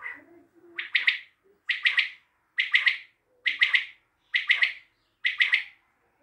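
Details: Steady run of six sharp three-syllable calls from a common quail, Tajikistan, spaced just under a second apart, with a few soft low notes before the first.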